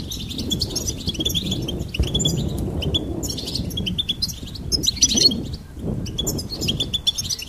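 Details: Goldfinch singing in lively bursts of high-pitched twitters, chirps and buzzy trills with short pauses between, over a fairly strong low rumble.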